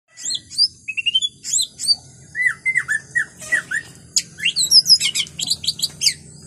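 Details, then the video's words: White-rumped shama singing in the wild forest: a rapid, varied run of clear whistled notes, high sweeping slurs and short chattering phrases, steady through the whole stretch with almost no pause, over a soft low hum. "murai batu suara asli hutan"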